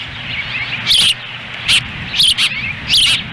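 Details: Osprey nest in Lolo, Montana, June 10, 2017, chicks fed on a windy day as the male stands by; bursts of high whistled chirps, one doubled, amid quieter twittering and low wind noise.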